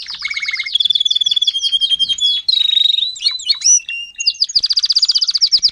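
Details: Timbrado canary, an adult tutor singer teaching young canaries to sing: loud rapid trills of descending notes, then a steady whistled tour, bubbling rising notes and a fast high trill to finish.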